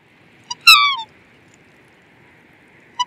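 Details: A single loud, falling, harmonic trumpeting note from a black swan, flanked by two brief soft squeaks in otherwise quiet surroundings.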